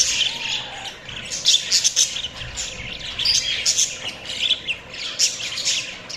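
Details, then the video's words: A flock of budgies keeps up nonstop chirping. The high, raspy twitters swell and fade in bursts roughly every second, and a faint low whistle is heard at the start. "Budgies Chirping sounds"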